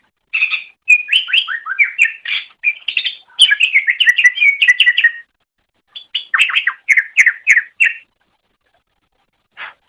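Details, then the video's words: Greater green leafbird (cucak ijo) singing in a masteran tutor recording for training pet songbirds: rapid chattering phrases of varied twisting whistles and chips, mid to high pitched, in bursts with short pauses, on a silent background. "Suara Burung Cucak Ijo"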